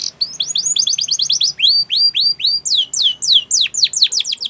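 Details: Spanish Timbrado canary song used to train young canaries. A rapid run of rising-falling notes, then slower looping downslurred whistles about four per second, then sharp steep downward sweeps. Low background hum throughout.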